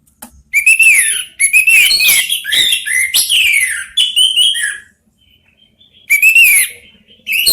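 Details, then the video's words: Three Orange-headed thrushes answering each other: loud, rich, varied song phrases mixing rising whistles and rapid high twittering, delivered in bursts about a second long with short pauses, then a gap of over a second before another phrase. "3 ANIS MERAH BERSAHUTAN"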